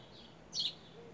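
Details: Creamy-bellied thrush, one of many wild birds feeding on fruit in a garden, recorded 18 September 2018 in the afternoon on a smartphone. One short, high, clipped chirp stands out against quiet background noise.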